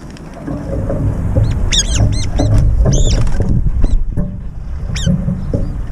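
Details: Feeding brown-eared bulbuls break into an aerial fight over the food dish. A quick run of piercing arched squeaks in the middle, a lone squeal near the end, over heavy low rumble.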